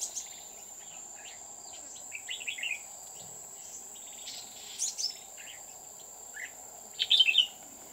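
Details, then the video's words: Red-whiskered bulbul decoy at a trapping site on An Phu mountain near Huong pagoda, 20 October 2019; several short warbled bursts spread across the recording, the loudest near the end, with a continuous shrill insect hum behind. "Bẫy chào mào Núi An phú - chùa hương"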